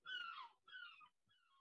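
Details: Gulls crying in the background, heard for the first time during an interview: three drawn-out, falling mewing wails, the last one fainter.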